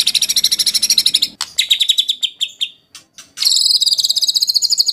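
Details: White-rumped shama song meant to provoke singing: very high, fast buzzy trills, broken by a few short notes and a brief pause, then a dense high trill resumes.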